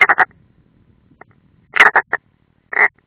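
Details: European roller at its nest, Ādaži training area, Latvia, 30 June 2016, nest camera: a burst of three gruff notes, a pause, a rough triple, then one drawn-out raspy croak.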